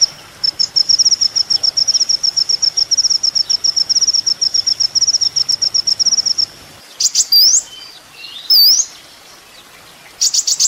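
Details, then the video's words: Sunbird called kolibri ninja, recorded as a master for training songbirds: a long, high, chattering trill in quick pulses, followed by sharp upswept and V-shaped whistled notes and a final burst. "masteran mewah full isian kolibri ninja bikin burung emosi"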